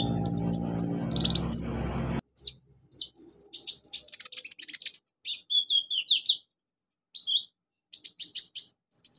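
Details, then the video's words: Olive-backed sunbird training recording aimed at beginner birds: bright high chirps over a low hum, then clean bursts of rapid thin tweets and falling whistles repeated in quick phrases. "MASTERAN KONIN/KOLIBRI NINJA buat konin pemula cepat gacor"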